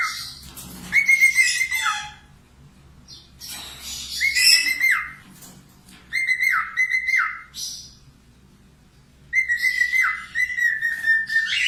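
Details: Budgerigar, a keen singer, recorded to teach cockatiels: four bursts of warbling, each a harsh buzzy chatter merging into level whistles that slur downward, separated by quiet gaps of about a second.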